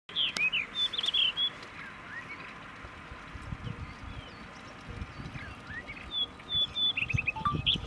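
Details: Juvenile rufous-tailed rock thrush giving short high whistled notes and quick chattering phrases in bursts, with quiet gaps between them and faint low background noise.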